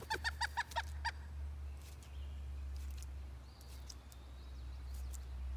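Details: Pileated woodpecker in Hebron, Connecticut, giving a quick burst of about six loud, hollow wuk notes in one second, then falling silent over a steady low rumble of wind or distant traffic.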